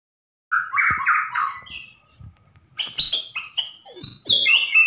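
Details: White-rumped shama from Borneo, a caged songbird recorded in full lively song to coax other shamas into singing: rich slurred whistles near the start, a pause, then a burst of sharp, rapidly varied bright notes and trills.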